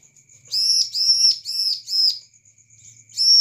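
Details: Bar-winged prinia lure song for prompting other birds to respond: four long, loud arched chirps in quick succession, a brief pause with faint high ticking, then another chirp begins.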